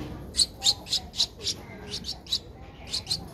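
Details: Twelve-day-old streak-eared bulbul nestling, Ubon Ratchathani, Thailand, April 2023, giving sharp high squeaky chirps about four per second, evenly spaced, against a quiet background.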